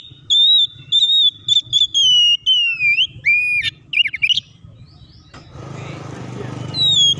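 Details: Oriental magpie-robin singing, used to provoke other birds to sing and fight: steady whistled notes, rising slurs and sharp zigzag calls, followed by broad hissing noise and one final whistle.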